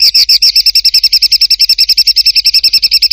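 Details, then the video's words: Songbird master recording with rough rolling material, made for teaching contest birds: a fast, even trill of buzzy high notes, about nine per second, held steadily throughout with harmonics above. "INI DIA BURUNG MASTERAN KASARAN NGEROLL"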